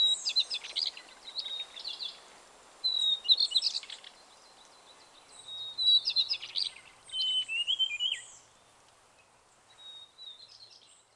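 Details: Taiwan fulvetta foraging on a tree trunk at Tataka, Taiwan, giving thin, high, twittering call notes in quick bursts of about a second, with short pauses between groups; faint background hiss.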